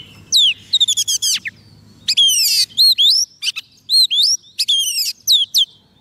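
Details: White-rumped shama fed soft food, singing to draw in wild birds: loud phrases of sweeping upslurred whistles mixed with harsh buzzy bursts and crisp repeated notes.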